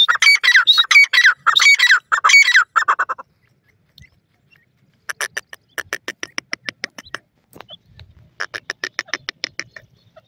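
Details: Grey francolin, locally desi teetar, Sindh: three seconds of loud, rapid, harsh ringing notes, then a pause and two looser series of short, dry, clicking notes.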